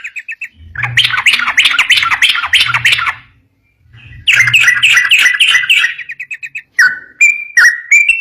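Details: Trucukan, the yellow-vented bulbul, in lively "ropel" song used to prompt other bulbuls to reply: two long bursts of loud, rapid, bubbly chattering with low thuds beneath, followed by spaced clear whistled notes dipping in pitch.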